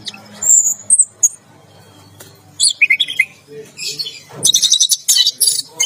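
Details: Singing while it bathes, a caged orange-headed thrush gives 'teler gacor' song: thin high whistles, a few descending slurred notes, then a dense buzzy chattering burst toward the end.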